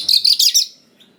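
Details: Brief phrase of oriental magpie-robin song played to provoke young wild birds to respond: rapid buzzy, scratchy high notes packed together for about half a second, then a soft distant chirp.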